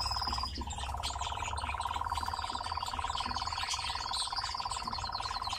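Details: Dancing captive nightjar giving its song: a rapid, even, mechanical churr runs on after a short break near the start, joined by a thin high whistle and light chirps.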